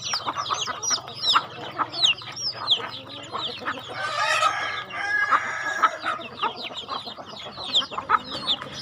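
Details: Chickens at feeding time on a rural home farm: a busy chorus of clucks and squawks from several birds, with a louder harsh burst of calling near the middle.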